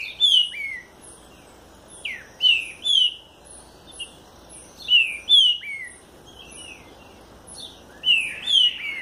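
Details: Green-winged saltator, southern type, repeating loud whistled phrases of two or three downslurred notes, a phrase about every two seconds, accompanied by thin high chips.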